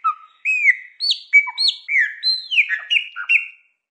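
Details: Pet-stimulation song of the Chopi blackbird: a series of clear, fluty whistled notes, each sliding down or arching, delivered at a brisk steady pace with short gaps and no other sounds.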